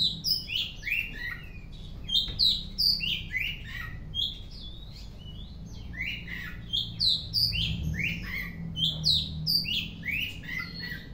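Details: Oriental magpie-robin singing in the afternoon: a lively, rapid stream of varied whistled and chirping notes, many sharply falling slurs, delivered in quick bursts with a low background hum throughout.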